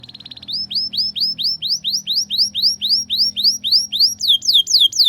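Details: Canary tutor song meant to teach young canaries to sing in the ngriwik style: a brief buzzy trill, then rapid rising whistled notes repeated about four times a second, ending in sharper falling sweeps.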